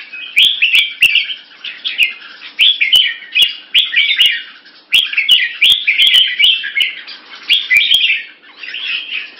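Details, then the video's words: Red-whiskered bulbul from Singapore tests an opponent with short keke calls and tail slashes; quick warbling bursts repeat about every second, interrupted by crisp clicking taps. "Stormbringer uses short keke n slashing tail to test opponent"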